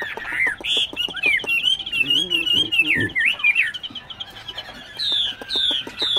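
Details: Caged, tame Chinese hwamei from Binh Chanh, Ho Chi Minh City, singing a string of quick whistled notes that wriggle up and down, with clicking sounds, a brief low voice, and a final pair of falling whistles.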